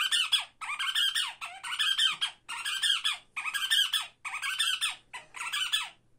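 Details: Tame pet African pygmy falcon, kept indoors in Hungary, perched on its owner's head: harsh, buzzy squawking calls in bursts of about half a second to a second, seven in a row with short gaps, in a small room.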